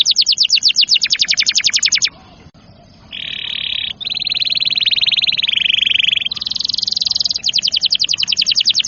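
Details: Singing canary played to encourage young or reluctant canaries to sing: rapid high trills, a short pause, then long buzzy rattling phrases at two pitches before quick trills resume.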